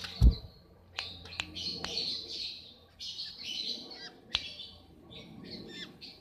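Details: Long-tailed shrike in breeding condition giving a rambling song of raspy, buzzy bursts and sharp clicks, phrases separated by brief pauses, over a steady low hum and a thump at the start.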